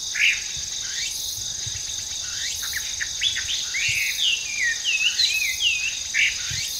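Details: Wild Hwamei, an invasive foreign species in Japan, singing from trees in a park; varied short whistled notes, some upslurred and some looping, delivered in a lively run over a constant high insect drone.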